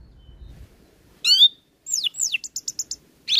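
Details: Orange-headed thrush in full song, packed with varied fill-in phrases and used as tutor material for untrained birds: a bright slurred whistle, then a quick run of descending notes and five short sharp chips, ending in a burst.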